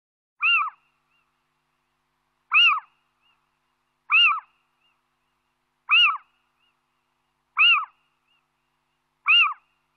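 A male little owl gives six sharp, slightly nasal, arched 'kiew' alarm notes, one every one and a half to two seconds, against a quiet background.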